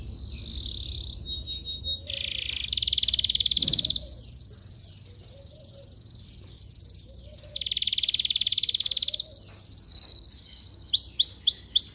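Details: Yellow canary singing in its cage while being trained, recorded with a Samsung S8 Plus phone: a long sequence of varied trills, some high and thin, others lower and buzzy, ending with quick rising sweeps.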